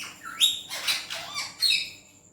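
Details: Indian green ringneck parrot speaking Urdu/Hindi: a rising, voice-like glide, then two rough syllables with a falling tone, ending on a bright, drawn-out harmonic note.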